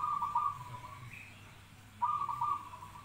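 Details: Zebra dove repeating a fast, trilled cooing phrase twice, each rolling burst under a second long and separated by a short pause, with a faint higher whistle in between.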